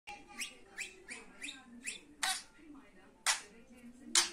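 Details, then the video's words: Pet budgerigar giving short chirps that sweep up and down, repeated roughly once a second, then three louder harsh broadband squawks near the end; a faint low hum runs underneath. "Muhabbet kuşu sesi"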